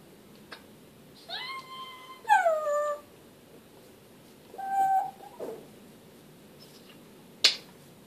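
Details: Vocalizing African grey parrot: two rich, harmonic calls that slide downward, then a steady whistled tone and a sharp click, each separated by short silences.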